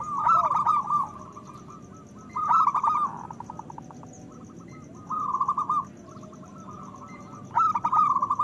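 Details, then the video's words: Local zebra dove strains singing loudly, used as a lure to stir breeding desire and prompt lazy doves to sing. Four bursts of rapid, ringing, rolling coo notes arrive roughly every two and a half seconds, with softer trilled notes between them over a low background hum. "Perkutut lokal gacor Suara Besar Pancingan Bunyi Menaikkan Birahi"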